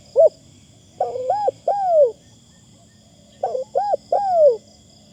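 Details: Decoy spotted dove cooing: a single short note, then two groups of hollow, rounded coos, each ending in a drawn-out downslurred coo, with quiet pauses between phrases and a soft background hiss.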